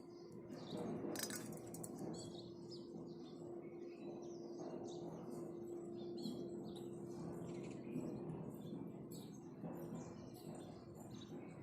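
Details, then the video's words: House sparrows chirping in the morning, a busy stream of sharp, high notes about four per second, with a steady low hum and broad background noise throughout. "goriya bird sound"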